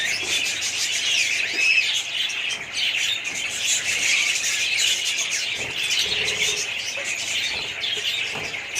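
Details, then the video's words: Many budgerigars in a colony chatter together, a constant bed of high twittering and warbled chirps with a few louder squawks. "budgies parrots colony"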